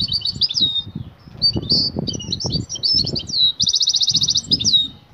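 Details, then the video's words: Excited female European goldfinch calling a male to mate, a batbata call: quick liquid twittering with downslurred whistles, then a fast regular buzzing trill before more twitters, over soft low knocks and rustles. "بتبتة أنثي المقنين هائجة تنادى على الذكر للتزاوج،jilguero"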